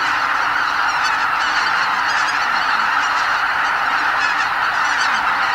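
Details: Massed greater white-fronted geese honking as they leave the roost at Lake Miyajimanuma, Bibai, Hokkaido, before sunrise during spring migration; an enormous flock produces a constant clamour of overlapping calls with brief sharper honks scattered through.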